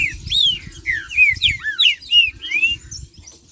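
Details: Green-winged saltator singing in the marcheando style to rouse other saltators: a rapid string of bright, slurred whistles, some overlapping, over a soft low pattering in the background.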